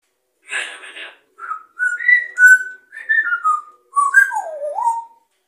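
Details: A rescued African grey parrot opens with a harsh, breathy syllable, then whistles the "Mah Nà Mah Nà" tune in clear sliding phrases, rising and falling over about four seconds.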